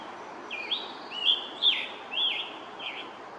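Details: Male Scarlet Tanager singing from high in the treetops beside a pond path at Mass Audubon Stony Brook, Norfolk, Massachusetts, in 2021. Five short, hoarse, burry whistled phrases come roughly every half second in a quiet woodland.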